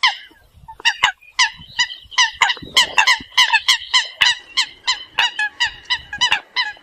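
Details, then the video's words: Flock-gathering calls of Eurasian coot: a dense, fast run of loud nasal honks, about three per second, overlapping as several notes follow closely, with faint rumbling underneath. "Tiếng sâm cầm gọi đàn"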